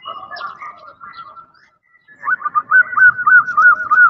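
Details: Calling female zebra dove trying to attract a male: faint, wavering cooing at first, a short pause, then a loud, fast series of rolling coo notes repeated evenly to the end.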